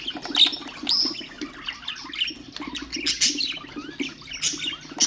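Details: Pet budgerigars twittering, a sound meant to stimulate other birds: chirps, short whistled notes and buzzy trills come in uneven bursts, with a faint flutter and a constant low hum.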